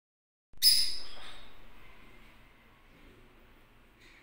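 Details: Yellow lutino lovebird gives one loud, harsh, high squawk that fades slowly, followed by near quiet with a faint chirp at the end.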